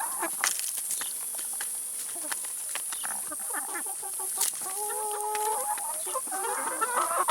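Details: Chickens eating salad and vegetables heard more distantly: faint murmurs and pecking at first, then a few longer tonal calls and clucks, all over a steady high hiss.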